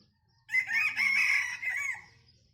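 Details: A bantam rooster crows once with a laughter-like call: a loud, strained, wavering note held about one and a half seconds that fades into a softer tail.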